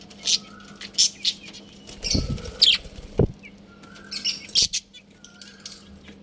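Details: Pet budgerigars in a colony chirping in scratchy high bursts, with faint falling whistles, dull wing-flutter and knocking thumps midway, and a steady low hum.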